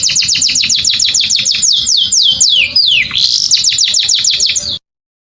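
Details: Canary song meant to excite females for mating, a rapid series of repeated downslurred whistles that stretch into longer sliding notes before a burst of bright, rapid trilling.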